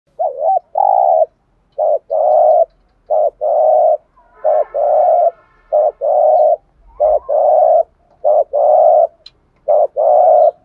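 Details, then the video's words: Spotted dove cooing in the thúc gù style, a recording used to lure wild doves: repeated phrases of low, hollow coos, each a quick double note then a longer buzzy hoot, sounding about every second with short gaps and faint background rustle. "tieng chim cu gáy thúc gù bài bản/ bổi nghe gáy liền"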